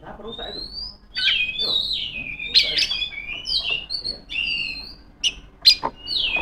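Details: Female Oriental magpie-robin, calling out to rivals: rising and falling high whistled phrases mixed with quick chirps and abrupt sharp notes, delivered in bursts with short pauses.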